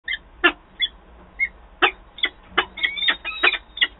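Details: Peregrine falcons at a nest in Wałbrzych, Poland, on 13 April 2023 during a nest change-over as the male arrives and the female quickly flies off: harsh, chopped notes, irregular at first, then a rapid run of rasping calls.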